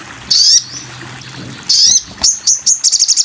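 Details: Sogon bird in a masteran (tutor) recording: two loud, high slurred whistles about a second apart, followed by quick high chips building into a rapid trill.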